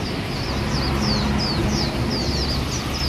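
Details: Swinhoe's white-eye in a city setting in Taiwan giving a quick run of thin, high, slurred notes, about three or four a second, over a steady low rumble like traffic.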